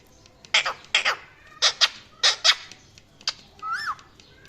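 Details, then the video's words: Parrot squawking in harsh, noisy bursts, mostly in pairs about half a second apart, followed by a short whistled note that rises and falls. "Funny Parrot Calling And Chirping Sounds"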